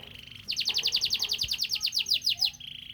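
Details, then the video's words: Morning canary courtship song: a soft steady trill suddenly gives way to a loud run of rapid downward-sweeping notes, about six per second, before settling back into a quiet rolling trill. "penjodoha burung kenari dipagi hari"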